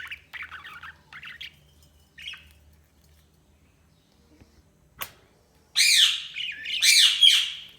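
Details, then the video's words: Budgies chirping: soft, scratchy twitters in short bursts at first, a brief click near the middle, then two loud, grating squawks close together at the end. "Budgies Chirping sound"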